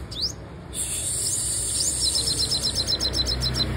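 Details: Female sunbird, a song said to set other birds singing: a few high rising notes, then a fast, even series of tiny high chirps about four per second over constant hiss.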